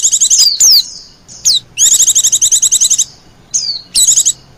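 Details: Lure recording of white-eyes (pleci) for calling wild birds: sharp high chirps and downward swoops, then a long, fast string of evenly repeated trilled notes, followed by short bursts.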